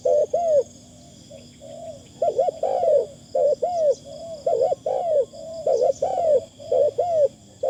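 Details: Spotted Dove decoy bird calling, light and thin in style: a sustained low coo leads into clustered paired arched coos, some with softer connecting notes, continuous faint high tone behind.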